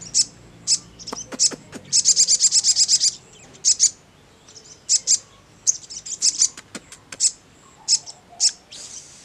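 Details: Crimson sunbird (sogon) singing ngleper-style: high, thin chirps, some single and some in quick rapid trills, with short pauses between bursts. Played to make any sogon reply quickly. Quiet background.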